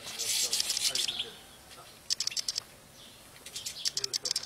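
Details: A flock of European goldfinches feeding on common golden thistle and Spanish oyster thistle in an aviary in Tunisia. High, tinkling twitters come in quick bursts: a dense run in the first second, then more around two and four seconds. Faint voices sit underneath.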